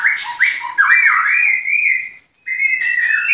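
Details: Captive-bred white-rumped shama in Klaten giving clear, looping whistles that swoop down and up, a steady held whistle, a short pause, then another whistle.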